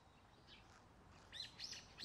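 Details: Black-billed magpies in Korea, feeding on fallen dogwood fruit on the ground, give a few harsh, rasping chatter notes in quick succession near the end, over a faint outdoor hush.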